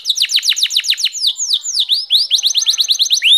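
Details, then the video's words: Canary singing fast rhythmic downward-sweeping notes, about five per second, shifting to upslurred chirps and a rapid rolling series, clear and loud throughout. "Canary Singing. غناء الكناري"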